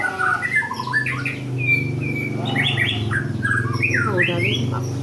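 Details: White-rumped shama (Copsychus malabaricus), song.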